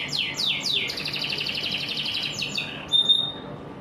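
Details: Morning canary song opening with three quick downward-swooping notes, then a sustained buzzy rolling trill, more swoops, and a short clear whistled note at the end.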